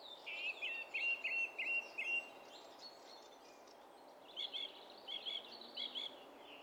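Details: Song thrush song from 27 April 2016: a sharp whistled note repeated five times, a pause, then a different double note repeated three times.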